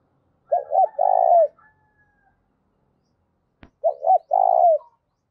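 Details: Spotted dove giving the 'thúc' style cooing call used as a lure for trapping doves: two clean phrases, each a short hooked note, a second hooked note, then a long buzzy coo ending in a falling tail, separated by silence.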